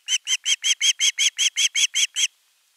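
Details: Nest-camera osprey chick, 10 August 2021, crying for food until a parent delivers a whole fish: twelve even, piercing chirps at a fast steady pace, then abrupt silence.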